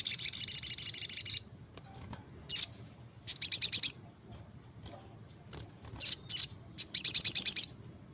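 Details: Crimson Sunbird giving a loud, energetic 'gacor' song: a long, very high buzzy trill of rapid repeated notes, then sharp isolated chips and two more short, fast trilled bursts.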